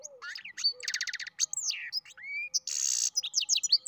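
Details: Goldfinch × canary mule singing a fast, varied song of sharp chirps, sweeping whistles and rapid trilled runs, with a brief buzzy burst near the end.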